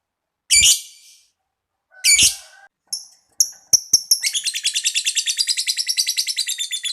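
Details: Lovebird long trill, ngekek panjang, played to stimulate other lovebirds: two harsh squawks and a few sharp clicks, then a sustained rapid chattering trill of high notes lasting nearly three seconds.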